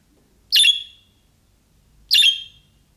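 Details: Budgerigar giving calling-style calls of the kind young birds make, which other budgerigars answer. Two short, harsh, bright chirps about one and a half seconds apart, with near silence between them.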